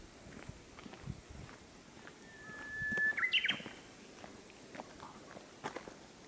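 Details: Japanese bush warbler singing from a treetop on a hill, 1 July 2018 just before 5 pm: one long steady whistle, then a quick rising, warbled flourish, over faint rustling and footstep-like noises.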